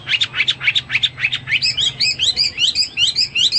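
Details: Hwamei singing vigorously, starting with a rapid, evenly spaced string of short repeated notes, then moving into quick rising whistled phrases repeated several times.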